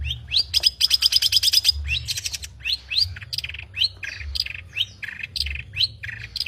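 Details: Long-tailed shrike in full song with varied mimicry: a fast run of repeated high ticking notes, then sliding whistled and chattering phrases rising and falling, delivered in quick irregular bursts over a faint low hum.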